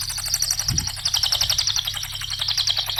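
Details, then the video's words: Cililin song, nembak ngetik style, played as a training lure for songbirds: continuous rapid high ticking trill, steadily repeated, with a faint low thump in the background. "Mp3 suara Cililin RAPAT GACORNYA,pancingan cililin"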